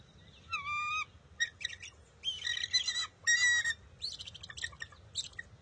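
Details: Bald eagle eaglet at its nest on June 23, 2021, refusing to share a fish, stealing it back after its mother grabs it. It gives bursts of high, squealing, harmonic calls and chattering squeals, about seven bursts over six seconds, over a faint low background rumble.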